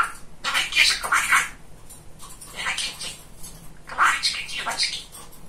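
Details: Chattering pet male budgerigar imitating speech, grainy high syllables strung into quick phrases separated by short lulls, with a low indoor hum beneath.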